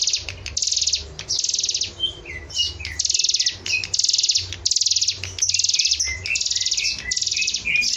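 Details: Hill prinia singing energetically, used as a tutor recording for training other birds: rapid buzzy trilled bursts of about half a second, repeated steadily, alternating with short sliding whistled notes, over a faint low hum.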